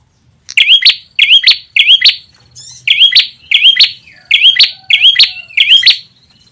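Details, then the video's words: Lure recording of ashy tailorbird, played to draw birds close: strong paired chirps, each swinging upward, repeated in a steady run with one brief gap near the middle, clean with no background. "SUARA PIKAT PRENJAK TAMU/KEPALA MERAH"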